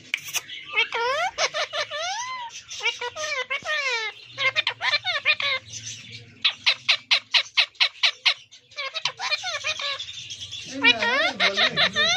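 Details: Parrots talking: loud harmonic squawks and curving, speech-like phrases, then a fast series of short sharp clicks, then more rising and falling chatter with low murmuring underneath.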